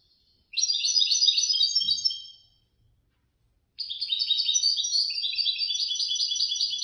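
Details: A caged competition European goldfinch, ranked third at a Casablanca bird lovers' contest, pours out long, fast, liquid twittering runs of high notes, a short soft thump between them.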